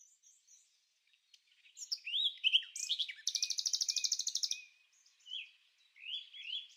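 Ribbon-tailed astrapia: slurred, whistled high notes give way to a fast, buzzy rattle of about twenty pulses, followed by more twisting whistled phrases.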